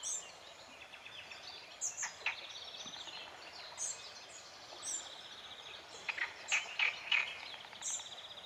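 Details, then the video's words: Sand martins at their nest colony on the Gállego river, Zaragoza, in June: scattered short high chirps, then a run of buzzy, rasping notes near the end, over a steady hiss of background noise. "Colonia de aviones zapadores. Sand martin nest site."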